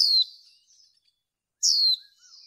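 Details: Female white-eye calling to stimulate males for bird training, with two shrill, down-slurred notes about one and a half seconds apart, trailed by soft, thin twittering.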